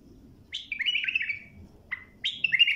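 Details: A bulbul sings two short phrases of rich, bubbling warbled notes about a second apart, over a soft low rumble. The clear song is played for tutoring and training other bulbuls.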